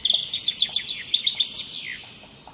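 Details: Wild birds singing: a rapid series of high, sharp chirps and short twittering notes tumbling one after another, then fading into softer, thinner notes and a brief downslurred phrase near the end.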